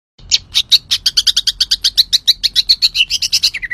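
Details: Green leafbird in full, vigorous song: a rapid run of about twenty sharp, high chirped notes, evenly spaced, with a few slurred whistles and a lower falling note at the end.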